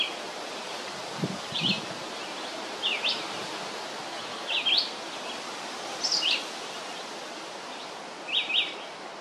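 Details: Long song of a red-eyed vireo: five short, slurred, whistled phrases spaced roughly every one and a half to two seconds, partly masked by a strong hiss of background noise.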